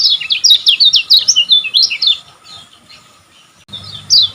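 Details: Olive-backed sunbird song for training caged birds: a fast run of loud, high, zigzagging chirps for about two seconds, a pause, then a final sharp downward note.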